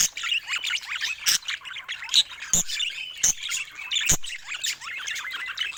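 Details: Several pet budgies warble and chirp in quick, twittering runs, high scratchy notes mixed with brief sharp clicks and a few louder squawks scattered through a busy, unbroken chatter.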